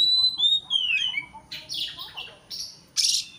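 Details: Oriental magpie-robin singing to stir a rival: descending whistled slurs that give way to scratchy, buzzy chatter and a loud harsh burst at the end.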